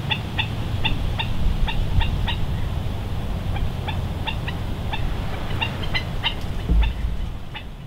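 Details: Ae'o or Hawaiian stilt (Himantopus mexicanus knudseni) at West Loch Shoreline Park, Pearl Harbor, Oahu, at low tide, March 16, 2013; a steady series of clipped, yelping notes in uneven rhythm beneath a heavy low rumble of wind or traffic.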